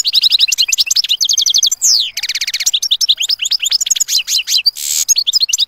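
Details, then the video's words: European goldfinch giving a clean, lively song: fast runs of bright, tinkling and buzzy notes, quick repeated trills and slurred twitters with hardly a pause, one harsh rasping burst near the end, no other sounds. "Būyūleyici Saka Sesi"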